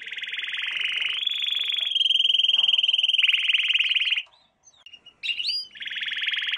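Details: Canary song used as a lesson for young canaries. Long, rapid rolling trills shift between steady high pitches, pause briefly for a few sharp whistled notes, then resume as a fast buzzy trill.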